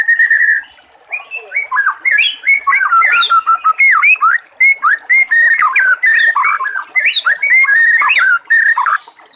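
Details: White-rumped shama singing in the wild, with water trickling nearby: a rich run of clear whistled phrases, some rising and some falling, delivered in quick bursts after an opening long whistle, over a steady high hiss of running water.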